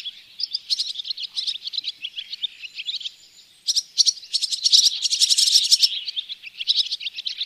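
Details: Barn swallows from a bird hide at Oostvaardersplassen, September 2016, Panasonic Lumix GH4: bright, high twitters in short bursts, a brief quieter gap near the middle, then a loud cluster of sharp, crackly chirps before chattering resumes.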